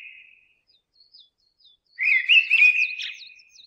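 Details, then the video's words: Mistle thrush in song: a fading whistle, a few faint high squeaky notes in the quiet, then one strong phrase of rich, wavering whistles with thin high notes above it. "Mistle Thrush"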